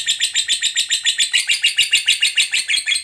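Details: Lovebird in a long 'ngekek' trill meant as a tutor recording for other lovebirds, a steady run of sharp, high chattering pulses repeated about three to four times per second with an even, rhythmic beat.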